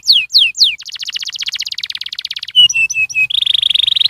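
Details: Canary song used to encourage other canaries to sing: three falling whistles, a fast dense trill, four short clear notes, then a steady buzzy rattle.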